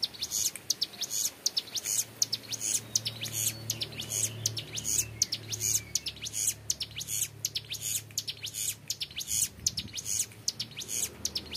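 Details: Young mountain prinia in full ngebren song, long and clear: quick bright high chips in rapid rattling runs, with a faint low hum in the background.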